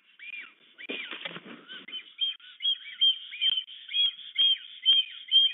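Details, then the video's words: Black stork pair at their nest in the Łódź region of Poland on 8 April 2022, greeting and courting in the evening after the male arrived the day before and the female that morning; arched whistled notes repeated about twice a second, with a burst of rustling. "Bocian czarny RDLP i UŁ w Łodzi (PL) - Fermina & Florek, przywitanie i wieczorne amory"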